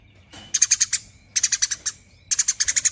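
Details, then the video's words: Quick, high, chirping bursts from a Eurasian tree sparrow in nyerecet chatter, three runs of about six sharp notes each, spaced by brief quiet gaps. "BURUNG GEREJA GACOR NYERECET PANJANG 15 MENIT 🔥 Ampuh Pancing Bunyi Tanpa Henti!"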